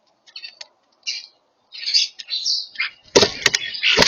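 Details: European starlings calling while eating: scattered buzzy, rasping chirps and wheezy notes, then loud clattering knocks and wing flaps in the final second.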